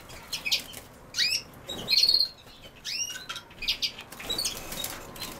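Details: European goldfinch giving a lively series of tinkling chirps, sliding notes and a sustained buzzy trill near the middle, delivered in separate short bursts with brief pauses between them.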